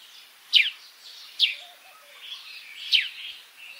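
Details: Three well-spaced, steeply falling chirps from an African sparrow, with soft hissy notes between them and faint low twitters in the background.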